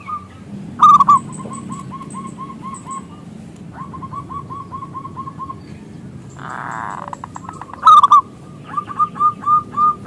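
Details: Local zebra dove lure song meant to draw other doves into singing: runs of quieter repeated coos broken by two loud, rapid bursts, a short rushing noise, then more distinct coos.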